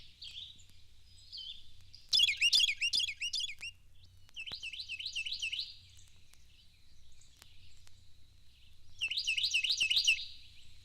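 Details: Carolina wren (Thryothorus ludovicianus) song: three loud bursts, each a rapid run of repeated ringing, rolling phrases, against an otherwise quiet background.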